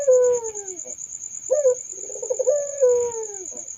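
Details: Puter dove uttering soft descending coos with a rolling, vibrating middle phrase, low and mellow, over a steady high insect-like hum.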